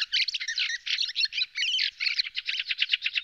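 A Fieldfare gives a squeaky, chattering song of harsh, jumbled high notes that breaks into a rapid stuttering series near the end. No other sounds are heard.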